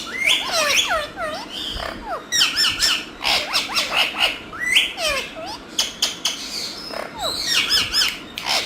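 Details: Green talking parrots chattering continuously, dense bursts of harmonic squawks, bent whistled notes and clicks repeating in clusters, with a low background hum.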